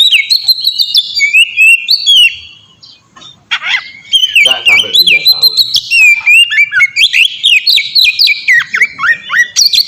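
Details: An oriental magpie-robin in melodious open song for training birds; rapid varied whistled phrases, a short quiet gap and harsh note, then long continuous strings of quick slurred whistles and chips.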